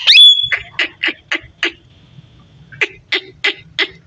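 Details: Talking parrot: a loud squawk opens the recording, then two groups of four or five raspy, speech-like syllables spaced about a third of a second apart, separated by a short pause, over a low background hum.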